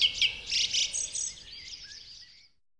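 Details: Song thrush phrase in full-whistled, far-carrying tone built on repeated notes. Loud bursts of high, chattering notes open it, then softer whistles fade away into silence near the end.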